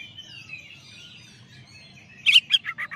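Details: Champion Oriental magpie-robin (kacer) song used as a tutor recording: a faint, long, wavering high whistle, then a quick burst of five loud, sharp, descending chirpy notes near the end.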